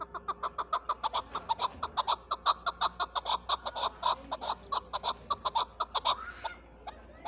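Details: Chukar partridge from Pakistan calling in a quick, even series of clucking chuck notes, about four per second, over a steady low hum.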